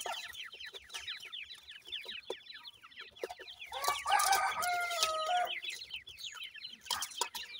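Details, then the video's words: Grey francolin chicks of the Sindhi type at feeding time, giving rapid streams of thin descending peeps; midway a louder burst of lower, tonal, wavering sound briefly overlays the cheeping chorus. "sindhi gora teetar kay chicks feeding"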